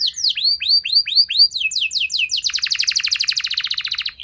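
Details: Canary song played to make canaries answer and sing long. Evenly spaced downslurred whistles speed into quicker chirps. They then break into a rapid, pulsing rolling trill lasting nearly two seconds.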